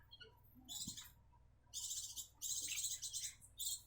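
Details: Captive breeding Grey-cheeked bulbuls from South Jakarta, Indonesia, perching on the second day after removal from the nest. Scratchy, hissing high-pitched chirps begin after a quiet start, then rise in louder bursts of up to a second.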